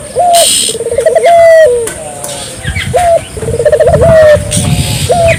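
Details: Barbary dove cooing steadily, a recording meant to set local doves calling. Phrases repeat about every three seconds, each a short note, a fast throbbing roll and a long sustained coo falling off at the end. Soft high chirping from other birds.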